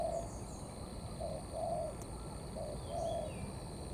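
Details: Spotted dove, wild-caught, giving its blended 'thổ'-'cấn' cooing: five low, hollow coos in short-long pairs within four seconds, over steady background hiss and faint high whistles.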